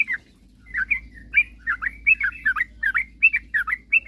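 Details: Sooty-headed bulbul in lively song, used to provoke rival birds into singing quickly: a steady run of short, bubbly, slurred notes, about two or three per second, with soft low hum behind.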